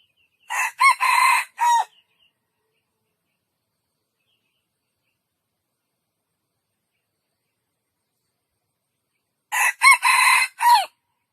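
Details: Two complete junglefowl crows about nine seconds apart, each a harsh, cackling four-part phrase lasting over a second, with a drawn-out third syllable and a short, falling final note. Silence fills the gap between them.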